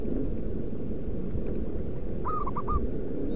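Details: Zebra dove, local wild type, calling to lure wild doves: one short phrase of four soft, even cooing notes near the end, over steady low-pitched rumbling noise.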